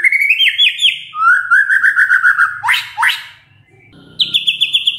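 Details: Lure song of a white-rumped shama meant to get other shamas to reply: rising slurred notes, a steady warbled phrase, two sharp downward sweeps, a brief pause, then a rapid high trill.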